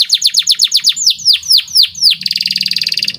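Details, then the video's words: Song of a white canary used as a training tutor: a steady series of swooping down-slurred whistles, about four per second, then a fast buzzy rolling trill, with a faint low rumble beneath. "CANARY Gacor Cengkok Istimewa"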